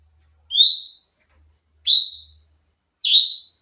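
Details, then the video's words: Nembak-style song of a sooty-headed bulbul for training other songbirds: three evenly spaced high whistled notes, each about half a second long, rising slightly and doubled with a fainter upper tone, with soft low hum between them. "masteran burung cucak cungkok nembak"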